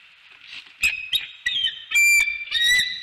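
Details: Bald eagles at a nest in northeast Florida during mating, the male taking the female by surprise; high, thin chittering whistles in short bursts, several rapid piping notes with bright harmonics, growing louder toward the end.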